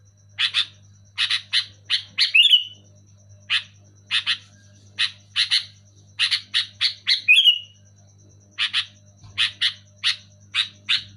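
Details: Loud sooty-headed bulbul song: clusters of two to four sharp, bright chirps separated by short pauses, twice breaking into a slurred rising whistle, with a constant low hum behind.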